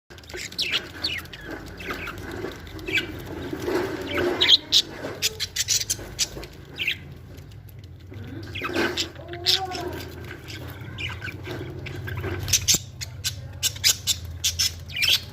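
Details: Budgerigars from a breeding pair or breeding setup chatter with quick, scratchy chirps and clicks, punctuated by sharper squeaks.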